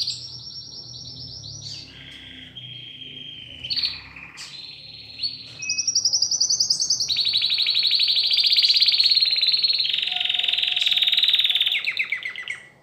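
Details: Newly arrived domestic canary delivers a chain of trilled phrases that step between pitches, then breaks into a long, loud, rapid buzzing roll that holds for several seconds before fading out.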